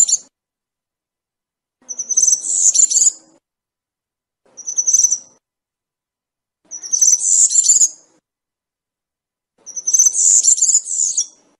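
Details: Serin song in the campero style: five separate bursts of high, sizzling jingles about two to three seconds apart, each a rapid tinkling chatter lasting around one second, with clear silence between them.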